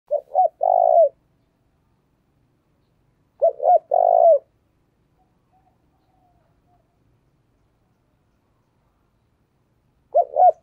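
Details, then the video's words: Decoy spotted dove cooing to lure wild doves: three low, mellow coo phrases, each two or three short notes then a longer rolling coo, repeated about every three to four seconds with silence between. "tiếng chim cu gáy thúc và gáy gọi hay, bổi nghe nhạy gáy"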